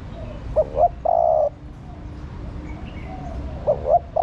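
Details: Spotted dove female cooing to stimulate a male: one complete phrase of two brief rising notes and a sustained level coo, then the next phrase beginning about three seconds later.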